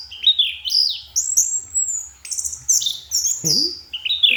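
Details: Anis kembang, or orange-headed thrush, singing at night: rising and falling whistles with one long high drawn-out note, then buzzy phrases and a brief low sound mid-clip.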